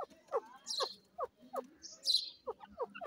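A francolin gives short, falling notes repeated about three times a second, mixed with harsh, squeaky high-pitched bursts.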